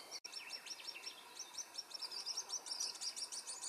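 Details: Varied Sittella in the Capertee Valley, Australia, during nesting from eggs to fledglings; a rapid run of sharp, high, thin chips, about two per second, becoming denser and more twittery toward the end.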